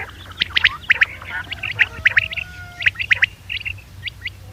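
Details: Common quail calls, played as a hunting lure: sharp, clipped whistled notes in quick groups of two or three, repeated about once a second, with fainter harsher calls and a low hum beneath.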